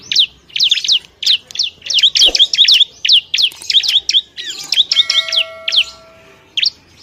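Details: Bar-winged prinia in the wild at its nest: rapid series of sharp, high chirps, each a quick rising-falling flick, in dense bursts of three to six, with pauses, and a faint steady tone near the end.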